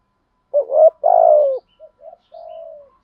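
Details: Spotted dove lure call in the native voice, used to provoke quick cooing. One loud phrase, a rising note then a sustained falling croo, is followed by three quieter short-to-drawn-out coos.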